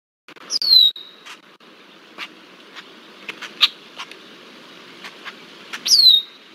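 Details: Red-winged blackbird pestering a bald eagle, Decorah, Iowa, 20 July 2023; two sharp falling whistles at start and end, with scattered clicks and soft knocking in between.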